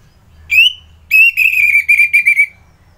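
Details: Orange-headed thrush singing in the morning in Kubutambahan, Singaraja, Bali: one clear slurred whistle, then a rapid run of bright, ringing whistled notes at an even pitch, ending in a short trailing note, over a quiet low hum.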